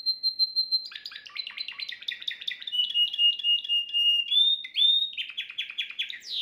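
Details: Domestic Timbrado canary singing at home, a faultless model song for schooling young birds: a long level whistle, then fast rattling trills, lower rolling phrases and clear pure tones, loud and unbroken throughout.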